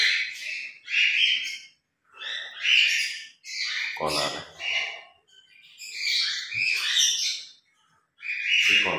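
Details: Two pet grey parrots, a little noisy at morning play, produce a run of short word-like squawks and chatters, each burst about half a second to a second, separated by short silences.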